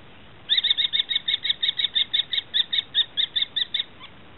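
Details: Common kestrel chicks, recorded 13 July 2013, give a fast, even series of about seventeen sharp, high 'kee' notes, roughly five per second, over a quiet background.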